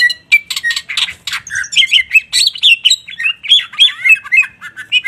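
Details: Lively singing by a greater green leafbird releasing its song bursts: squeaky chirps and harsh notes give way to a fast, varied warble of twisting whistles and trills, roughly three to four notes a second.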